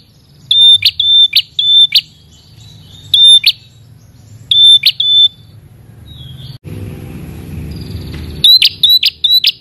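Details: Red-headed prinia calling out to a rival with short clusters of thin whistles ending in rasping buzzes, separated by pauses. A loud stretch of broadband noise comes before a final quick burst of calls.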